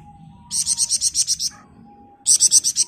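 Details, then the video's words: Flamboyan bird singing in dense ngebren style, a master recording for other birds: a one-second run of about nine rapid high pulsed notes, a brief pause with a faint tone, then another fast run. "Burung Flamboyan Gacor Ngebren Rapat"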